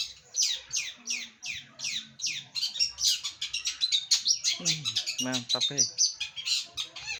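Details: Long-tailed shrike in full song, known locally as cendet or kucau: a fast stream of harsh, buzzy high notes, repeated scratchy phrases and varied mimic-like chatter, with a lower harmonic call near the middle and brief speech at the start.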